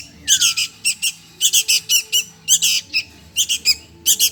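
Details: Begging calls of a sooty-headed bulbul chick wanting food: loud, rasping squawks in pairs and short series, with one descending whistled note early on.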